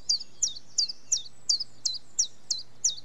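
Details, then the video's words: Song of a common chiffchaff: bright, clipped notes that slide downward, given at an even pace of roughly three per second, with a faint low hum underneath. "Chiffchaff Bird Call - Bird Song"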